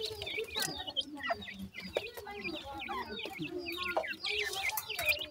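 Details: Several baby partridges call as they eat, sharp high chirps and short rising peeps repeated rapidly over a background of lower soft clucks, with occasional tapping or clicking sounds.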